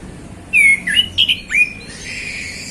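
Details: Afternoon song of a male orange-headed thrush, likely kept as a cage bird: one short phrase of four or five loud whistled notes, slurred and swooping, followed by softer scratchy chatter.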